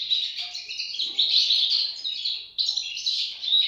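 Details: Begging European goldfinch chicks give a constant mass of shrill, quick, overlapping cheeps that ride at one high pitch, broken by a single brief pause about two-thirds of the way through.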